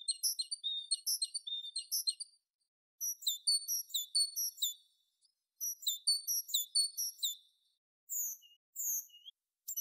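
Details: Tit delivering bursts of rapid, high, repeated note pairs in separate bouts with short pauses between, ending with a few slurred, higher whistles.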